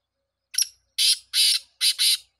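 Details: A black francolin calls loudly: a short rough note, then two long rasping bursts and a closing pair of grating notes, evenly spaced and clear.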